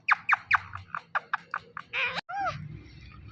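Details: A pet Indian ringneck parakeet talking, saying "Mithu": a rapid string of short, bright syllables, about eight in two seconds, then a few harsher, rising speech-like squawks.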